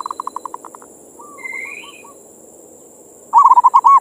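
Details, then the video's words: Local perkutut, a zebra dove, singing as bait for other doves: a faint pulsing trill and soft coos, a brief rising buzzy note, then a loud closing burst of bubbling arched coos, over a constant high whine. "suara perkutut pancingan birahi"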